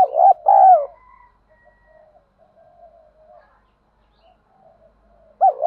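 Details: Spotted dove lure call for training birds to call: a loud low double coo and rolled croo open the clip, then faint murmuring coos, and the start of another phrase at the end.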